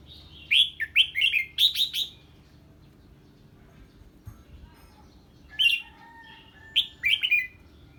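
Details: Song of a red-whiskered bulbul answering an unfamiliar bird: an energetic string of five or six clear, slurred whistles, a two-second pause, then two shorter bright phrases.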